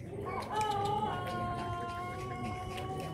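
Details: Pelung rooster at a singing contest, the LPN Cup final, giving a long drawn-out crow with steady tonal bands that hold level and then slowly fade; people talking in the background.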